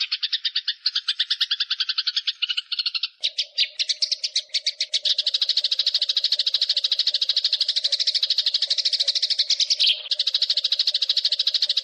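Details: Eurasian tree sparrow in fighting mode with a long, clear rolling song: dense high chirps repeated rapidly, a slower stuttering series first, then an unbroken fast rattling roll, over a steady low hum.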